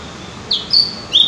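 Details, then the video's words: Javan grey-throated white-eye (opior jawa, cucak gentong) song used as a lure to prompt birds to sing more: three short, high whistled notes, the first and last sliding, over a soft steady background hiss. "pancingan burung opior jawa atau cucak gentong agar rajin bunyi"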